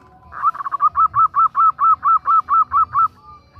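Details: Female zebra dove (perkutut) calling a male: a quick run of about thirteen short, hollow, evenly spaced notes at one steady mid pitch, lasting under three seconds, with soft low rumble beneath.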